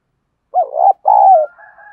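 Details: Spotted dove decoy meant to provoke other doves, a wavering coo then a long falling coo, with a thin steady whistle-like tone after.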